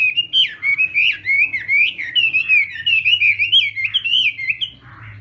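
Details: Morning voice-training song of a Chinese hwamei in singing-contest style: a steady, fluid stream of warbled whistles wavering up and down without pause, ending in a softer, rougher note, a low hum beneath.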